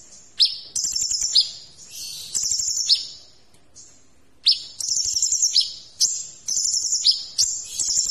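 A copper-throated sunbird sings very high, thin, buzzy trilled phrases in quick bursts about a second apart, separated by brief pauses.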